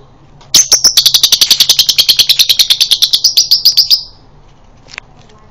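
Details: Male lovebird in breeding condition, a prompting ngekek aimed at the konslet style: one long, rapid chattering trill of sharp high notes, about eight per second, lasting some three and a half seconds, then a single faint chirp afterwards.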